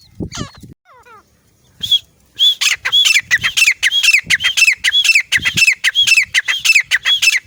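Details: Female grey francolin call from Layyah used for hunting: after a few scattered chirps and clicks, a loud run of shrill, squeaky ringing notes repeated rapidly and evenly, with low thumps underneath.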